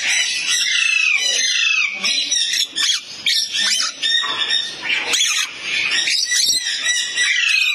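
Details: A hand-reared, very tame musk lorikeet at a bird store gives shrill, harsh screeching chatter, almost nonstop with only brief pauses, all high and rasping.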